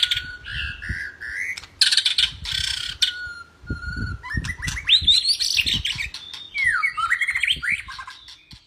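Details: White-rumped shama singing as a training example for other birds: harsh buzzy notes and a held whistle, followed by a rapid sweeping whistled passage, with knocking sounds throughout.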